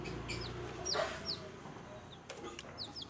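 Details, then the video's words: Newly hatched baby chickens making a few short, high, downward-slurred peeps spaced irregularly over a soft background hiss while feeding and playing. "SMALL Baby Chicken Sound,Chirping,Noise"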